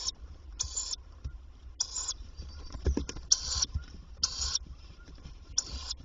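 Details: Tawny owl at a nest box in daytime on 27 May 2023, the female arriving several times to feed the young: harsh, breathy hissing bursts, each about a third of a second, repeated roughly every second, with faint rustling between.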